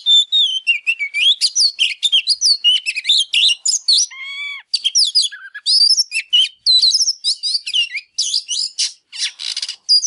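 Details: Oriental magpie-robin pouring out a fired-up display song meant to provoke silent birds to sing: dense stream of rapid twittering, slurred whistles and chirps, broken briefly by a few lower falling notes near the middle.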